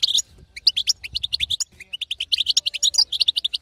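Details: Rapid, liquid twittering from a female European goldfinch, the betbeta call said to make a silent male sing; evenly spaced bright chirps, a few dipping lower, running almost without pause.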